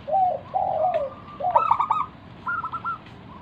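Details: Wild local zebra dove cooing, a song meant to coax other doves to reply: two soft descending slurred coos, then a loud rapid stuttering trill and a shorter clipped trilled phrase.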